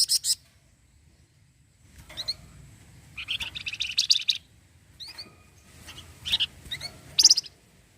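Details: Flamboyan (orange-headed thrush) mixing brief high chips and thin upslurred whistles with a dense one-second rattle of its 'cretetan' chatter, the song said to set other birds answering.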